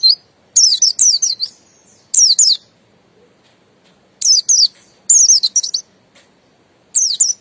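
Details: Buxton's white-eye, a kept songbird, singing short bursts of high, sharp downslurred whistles, two to four notes each, separated by brief silences; no other sounds.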